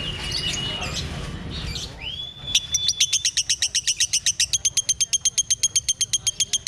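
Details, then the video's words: Lovebird of the 'konslet' style, known for extreme manner and voice: a few thin whistled notes, then a fast, even run of sharp high chattering pulses, about four each second, lasting several seconds. "LOVEBIRD KONSLET"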